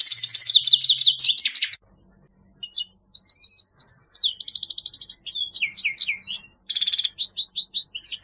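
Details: A grey-headed goldfinch sings: a quick jangling trill, a short silence, then lively twitters, buzzy notes and slurred whistles, with phrases repeated rapidly and irregularly.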